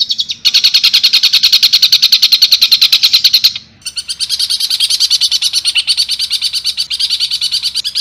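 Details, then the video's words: Long-tailed shrike delivering long, tight rolling bursts in the Kuntilanak, Tengkek Buto and fighting-sparrow style: a shrill, rapid chattering run of evenly spaced notes, a short break, then a slightly softer, quicker continuation. "Cendet Full Tembakan Kuntilanak | Tengkek Buto | Gereja Tarung"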